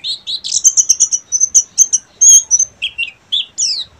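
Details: Buxtomi Oriental white-eye in full ngeriwik song, loud and clean: fast high trilled chirps and sweeping whistled notes, some long level trills, broken by short pauses, nearly silent background.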